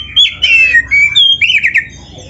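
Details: Oriental magpie-robin singing a phrase-filled song used to train other birds: a short string of sweet whistles and sliding notes, some buzzy, ending quieter.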